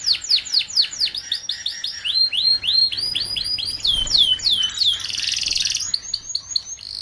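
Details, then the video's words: Paud-style canary song used to train young canaries kept together; long sequence of high downslurred and rising whistled notes at a quick pace, interrupted by a dense buzzing trill before resuming. "Kicauan Kenari Paud Untuk Pemasteran Kenari Muda Ombyokan Agar Cepat Bunyi!"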